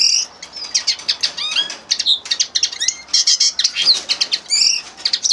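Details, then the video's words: Singing common linnet giving bursts of quick, bright twitters and buzzy notes separated by brief gaps, with a few rising slurred chirps mixed in. "carduelis cannabina singing"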